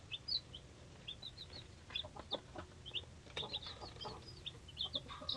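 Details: Three-day-old hatchery chicks of mixed breeds, including Leghorn, Polish, Buttercup, Rhode Island Red, Australorp, Cochin and Jersey Giant: many thin, high peeps scattered irregularly over a soft, rustling background.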